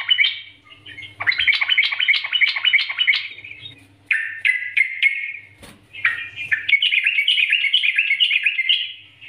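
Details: Trucukan master song in Nggaruda style, intended to provoke singing: pulsed chattering phrases, a slurred descending run, then a long steady ripple of quick notes, over a faint low hum.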